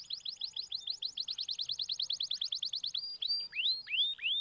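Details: Canary lure song for a quiet canary: a rapid steady series of short chirped notes for about three seconds, then several drawn-out clear whistles sweeping down and back up.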